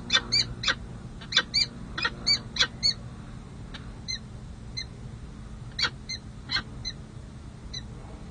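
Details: A Peregrine falcon pair engaged in post-breeding bonding on a San Jose city hall ledge, July 2024: quieter, clipped chip notes in short bursts with pauses between, over a faint steady background hum.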